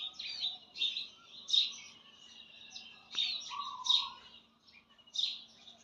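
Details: Sharp, high bird chirps come in separate bursts roughly every second, with one steady lower whistle midway over a faint background hum.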